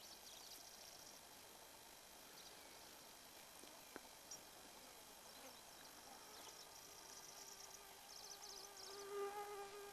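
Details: A singing Pallas's grasshopper warbler (Locustella certhiola) at Har Us, Khovd Aimag, Mongolia, in July 2009 gives faint, high, insect-like reeling bursts in short rattling phrases, with low whistled notes near the end over a steady hiss.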